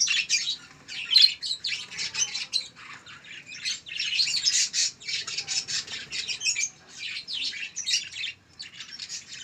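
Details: Young local canary, one month old, uttering a long run of raspy, scratchy squawks and chirps in quick, uneven succession.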